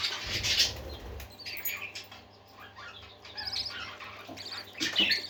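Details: Happy parakeets singing: a loud burst of high, buzzy chirps opens, followed by softer twittering warbles, then another bright flurry of chirps near the end.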